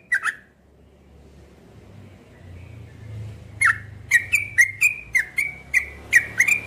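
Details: Cream-vented bulbul gives one short note, falls silent for about three seconds amid low hum, then bursts into a rapid series of bright, clicky chirps to the end.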